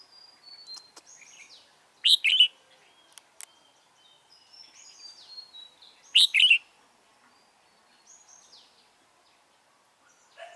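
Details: Decoy red-whiskered bulbul used in bird trapping, 28 February 2017, singing to draw in wild rivals. Short, strong two-part phrases come roughly four seconds apart. Thin whistled notes and clicks from other birds sound faintly between them.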